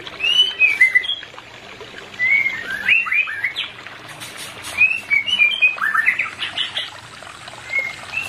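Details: White-rumped shama song played to bring a non-breeding pair into breeding condition: clear whistled phrases that rise and fall, given in two bursts separated by a short pause, with faint chirps behind them.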